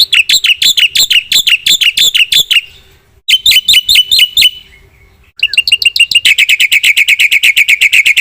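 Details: Black-winged myna singing energetically with full fill-in phrases: bursts of fast sharp chirps separated by short gaps, then a long rapid ringing trill of evenly spaced notes.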